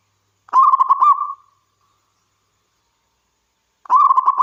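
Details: Rapid warbling coo phrases from a local wild zebra dove, the first about a second long and trailing off, the next starting some three seconds later.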